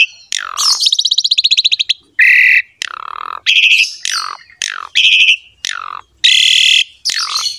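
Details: Master recording of an Asian pied starling to coax a reluctant bird into song: a rapid rattled trill opens, then loud harsh squawks alternate with downslurred whistles, phrases separated by short pauses.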